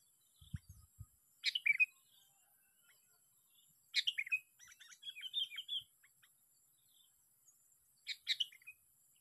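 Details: Sooty-headed bulbul caught by luring, heard on the sixth day of a fight: three short bursts of bubbly, fluty notes dropping between mid and high pitch, about four seconds apart, with brief low thumps at the start.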